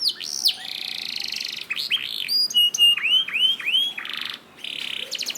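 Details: Canary song played to coax other canaries into song: harsh buzzy squawks open, followed by a row of dipping whistled notes, a short rattle and more buzzy phrases.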